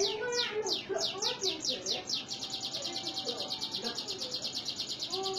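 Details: Canary in Indonesia sings a string of quick high downward-sweeping notes running into an even, fast trill, with some soft lower warbling notes and faint background sounds.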